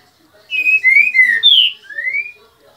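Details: Green-winged saltator (trinca-ferro) singing while molting, recorded 10 February 2021: four loud, clear whistled notes slurring up and down, a short gap, then a long rising whistle; quiet background.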